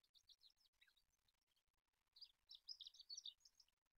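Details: An Olive-backed Pipit (Anthus hodgsoni), a tutor bird, sings two bursts of high, thin, twittering notes, a short run followed by a denser, faster jumble. Faint background noise.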